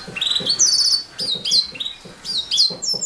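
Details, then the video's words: Canary song of bright, high whistled sweeps and rapid buzzy trills, bursting in short phrases, with soft low murmuring underneath. "Kicau Burung Kenari"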